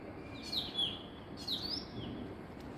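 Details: Female Asian koel in the morning gives two shrill, harsh, descending bursts about a second apart, high-pitched and slightly grating, over a low background hum.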